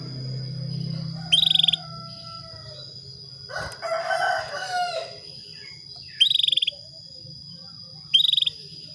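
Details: Female Atlantic canary calling a male to bring on breeding; three short rattling trills of fast high pulses, the last two about two seconds apart, broken by a louder noisy bird outburst in the middle, with a steady high hum throughout.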